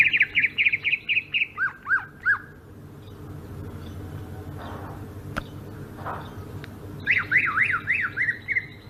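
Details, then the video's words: Sumatran greater green leafbird, ngerol rolling song: a fast train of about ten down-slurred notes dropping lower toward the end, several quiet seconds with a click, then another quick run of zigzag notes. "kicau burung cucak ijo sumatra ngerol"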